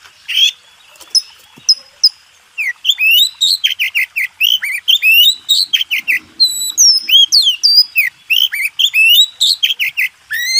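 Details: White-rumped shama master song for contest birds: a sustained, rich medley of rising and falling whistles, chips and twitters delivered rapidly for several seconds.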